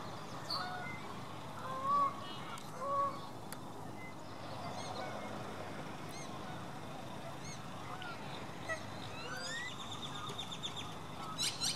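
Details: American coot with orange-headed baby chicks; two short nasal honking notes near the two- and three-second marks, with scattered faint high chirps and clicks from other birds over a steady background hiss.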